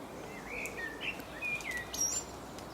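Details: A common blackbird in England sings a mellow, fluted phrase of low whistles, ending in a thin, high twitter, over a soft outdoor hiss.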